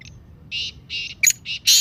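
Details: Black francolin (Kala Teetar) calling, used to make pet birds active. Buzzy rasping notes in quick succession, punctuated by a sharp high note and ending in a loud, harsh, broad burst.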